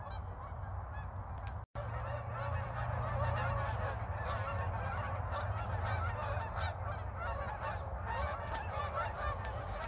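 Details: Geese flying north and south over North Idaho in a winter still without snow: after a brief break, a thick, unbroken wall of honking from many birds builds and holds, over a low droning background.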